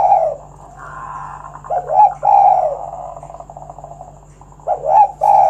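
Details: Spotted dove, meant to prompt other doves to sing: low, husky coo phrases, each a brief lead-in note followed by a longer rounded coo, linked by a softer drawn-out murmur.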